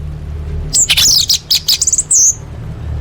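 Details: Orange-headed thrush, a lure recording for caged birds: one short, fast burst of high, sharp twittering notes ending in a clear slurred whistle, with a faint low hum underneath.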